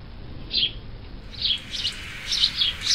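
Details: Sparrow giving a few spaced, high, rough chirps, single at first and then in closer pairs, over a steady low background noise.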